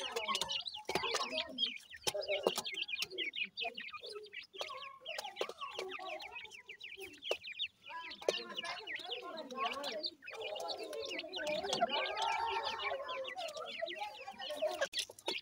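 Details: Feeding grey francolin chicks, called dakhni teetar, give dense rapid peeping and twittering throughout, mixed with softer lower clucking notes and brief pauses.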